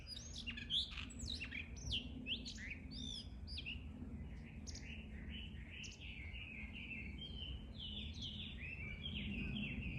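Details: Blue rock thrushes trading calls: a quick jumble of high, sharp chirps and twittering notes at first, then a long series of softer, evenly spaced whistled notes that rise then fall, with low background hum throughout.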